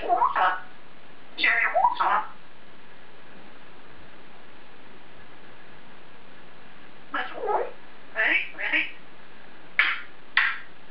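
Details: African grey parrot, a male kept indoors, talking to himself in his cage: scattered short speech-like syllables and squawky phrases in bursts, with long quiet gaps between them.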